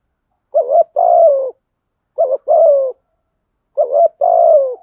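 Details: Decoy dove kept for luring wild doves, giving its urging coo: three low two-part phrases, each a short wavering note then a longer steady coo that falls at its end. The phrases come about every one and a half seconds against a silent background.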